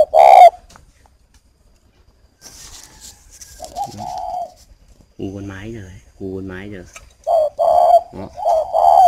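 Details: Captive breeding spotted dove in Ba Vì, Hanoi, Vietnam, directing coos at a female: one coo, a pause, a longer coo, a man's voice speaking, then a run of quick mellow double coos near the end.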